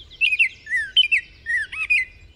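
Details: A Baltimore Oriole sings a short burst of rich, sweet, melodic whistled notes, about six slurred rising and falling phrases, stopping after a phrase or two, with a faint low rumble beneath.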